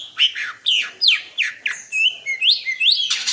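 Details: Greater green leafbird singing: a run of loud slurred whistles, each sweeping down or up, several ending in a rising upslur, with a burst of harsh buzzy noise at the close.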